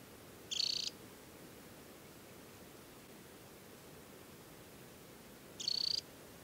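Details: Adult Temminck's stint in summer plumage at Tinnhølen lake on Norway's Hardangervidda mountain plateau, early July; two short, high, rapid buzzy trills about five seconds apart over a faint steady background hiss.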